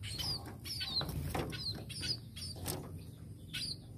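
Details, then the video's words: A tame munia gives thin, high chirps in quick, irregular bursts, with soft wing flutters and a low background rumble. "BURUNG PIPIT"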